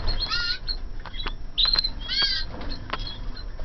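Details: Young canaries from 2014 in a flight aviary give a busy burst of sharp, rising chirps and buzzy notes, several loud calls close together over a low background rumble.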